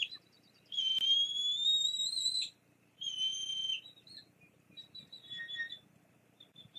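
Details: Bald eagles at a Fraser Point nest on 9 May 2022, from a live cam: the female drives the male off after he delivers a fish. Two long, clear, slightly rising whistled notes, the first about two seconds, then softer short high chirps.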